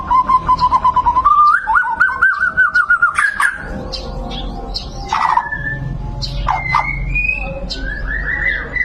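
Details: White-rumped shama (murai batu) singing: a fast run of repeated whistled notes near one pitch, stepping higher, then scattered sharp notes and rising slurred whistles over a low background rumble.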